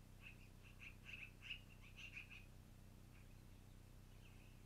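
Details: Long-eared owl at its nest on an April evening in 2018: a quick cluster of thin, high squeaky notes, some doubled, over about two seconds, then fainter squeaks, over a steady low electrical hum.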